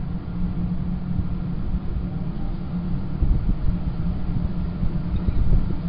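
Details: Deep, muffled rumbling like wind or distant traffic dominates, with no animal sounds heard.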